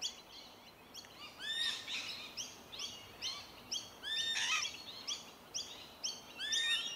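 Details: Rainbow lorikeets (Trichoglossus moluccanus) feeding on tree violet berries in suburban Melbourne, Victoria, in January chatter in a busy stream of high, arched chirps and short screechy notes from several birds at once, over a soft outdoor hiss.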